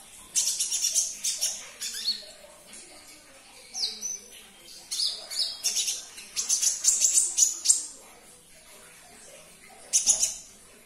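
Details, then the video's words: Olive-backed sunbird (kolibri ninja), played to prompt caged birds to sing: bursts of very high, thin, sharp chirps and rapid twittering trills in clusters separated by short pauses. "Putarkan 1 menit saja video ini KONIN anda pasti langsung nyaut"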